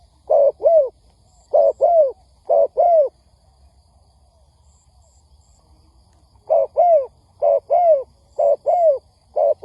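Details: Trapping lure of a spotted dove meant to excite wild birds: three deep paired coos, then a silent pause of about three seconds, then the doubled cooing resumes at a steady one-per-second pace; faint high peeps occasionally.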